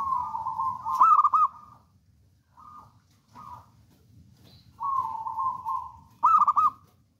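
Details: Local wild zebra dove, a bold, persistent singer, alternating long purring trills with quick bubbling coo bursts and short clipped notes; faint low rumble beneath.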